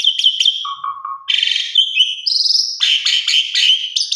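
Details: Asian pied starling female calling for a male, as a lure: sharp chirps, a low buzzy whistle, then harsh grating rasps and high notes in quick succession.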